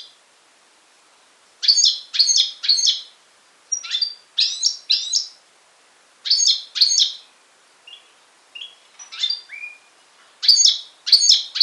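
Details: A European goldfinch x canary hybrid in Syros, Greece, July 2007, sings bursts of bright, high twittering and buzzy trills, broken by brief pauses and occasional clear whistled notes.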